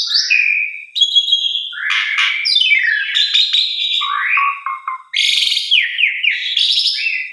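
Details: Black-collared starling song played to get stalled captive starlings singing; swooping whistles, harsh downward slurs and low stuttering chatter, loud with two brief gaps.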